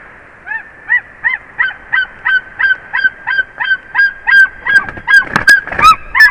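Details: White-tailed eagle at a nest in Durbe county, Kurzeme, Latvia, in an unsuccessful aerial courtship with an angry mate, giving a rapid series of yelping, arched notes, about three a second, speeding up and louder, with sharp knocks near the end.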